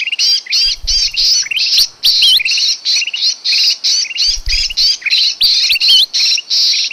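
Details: Sooty-headed bulbul call played to lure small birds into traps: rapid, grating notes repeated about three per second with occasional rising whistled slurs, plus faint low knocking twice.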